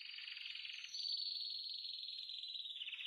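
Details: Male canary, intensely preparing to mate, delivers an unbroken, rapid rolling trill: lower and buzzier at first, then higher and steadier to the end.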